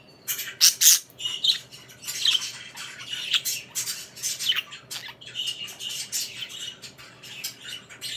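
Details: Budgerigars, pet parakeets kissing, give continuous busy chatter: harsh squawks and bright chirps crowding one another, with short sharp tweets and scratchy warbling notes bursting at irregular intervals throughout.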